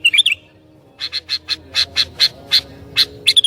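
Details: Sooty-headed bulbul, a lively singer said to be good at provoking other bulbuls, giving a short warbled phrase followed by a run of about ten evenly spaced sharp chirps.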